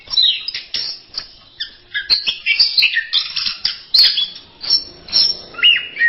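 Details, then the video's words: Orange-headed thrush masteran song: irregular high chirps and squeaky warbles in quick bursts, several short phrases with slight gaps between them, and a lower slurred note near the end. "Berbagai kicau burung anis masteran"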